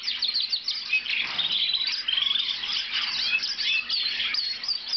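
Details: A blue Lizard canary sings a continuous, rapid, high warbling song full of trills and bright chirps, with a faint steady hum underneath.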